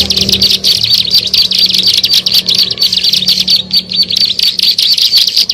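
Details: Plain prinia (ciblek sawah) calling on a lure track meant to attract birds: a steady torrent of high, scratchy chirps with brief pauses, over a faint low background hum.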